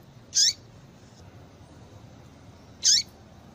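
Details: A female Yellow-bellied seedeater calls to stir up males: two short, loud, high chirps about two and a half seconds apart, with faint hiss between.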